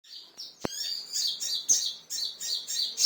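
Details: Agitated kingfisher provoked by a lure sound: a series of shrill, high notes repeated about every third of a second, broken by one sharp click near the start.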